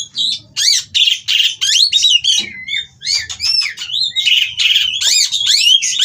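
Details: Captive Oriental magpie-robins mating at a breeding farm, sound that provokes rivals to sing: strong bursts of arched, sweeping whistles and harsh squawks, roughly three phrases per second, with brief gaps between bursts.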